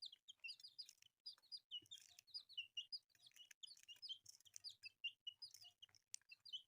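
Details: Several newly hatched chicks of bright colours cheep almost continuously: piercing, downward-slurred notes in rapid succession, often overlapping, with faint tapping underneath.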